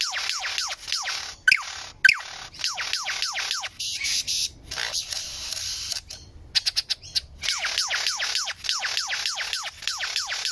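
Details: Lyrebird song: rapid runs of clear whistles, each sweeping steeply downward, repeated in quick bursts with short breaks, and a few sharp clicks between phrases.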